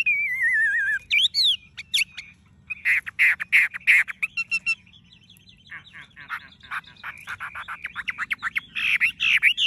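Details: Tame Chinese hwamei with golden-yellow legs, bill and feathers, singing nonstop: a long, varied song of wavering warbled whistles, sweeping slurs, rapid burry repeated notes and chattering trills, loud and continuous throughout.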